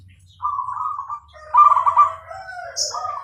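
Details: Zebra dove, Bangkok type, singing: a level purring coo, then a louder trilled phrase sliding to a low falling note, with one brief high chirp near the end.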